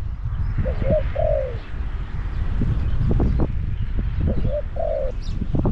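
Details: Spotted dove kept as a caged decoy to lure wild doves, Song Phi Nong, Thailand: soft coo phrases, a short note followed by a longer falling coo, heard twice with rumbling noise and scattered knocks.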